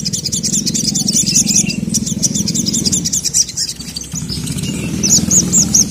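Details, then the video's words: Agitated sogon (sogok ontong), a sunbird kept by songbird fans, calling for a male: rapid, dense, high-pitched chirps and twitters, about two per second, over a steady low hum. "SOGON MANAPUN NGAMUK GACOR LANGSUNG EMOSI dengar masteran burung sogon memanggil jantan ini"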